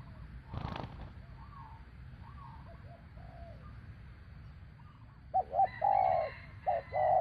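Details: Spotted dove call used to lure a bird down during trapping. Soft distant coos and a brief knock early, then a loud close phrase of short notes and drawn-out hoarse coos near the end.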